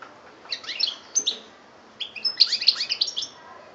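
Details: European goldfinch in Algeria, 2013, singing two quick runs of bright, jangling twitters and liquid chirps, densely packed and high-pitched.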